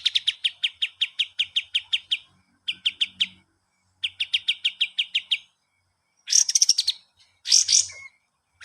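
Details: Kapas tembak master song for teaching cage birds: three runs of rapid, even chip notes separated by short pauses, followed by two harsh, buzzy chattering bursts and a brief whistle.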